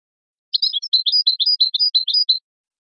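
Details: A goldfinch gives one quick two-second phrase of bright chirps, a fast string of high, slightly varied notes, with nothing else heard. This is a tutoring tape for young songbirds.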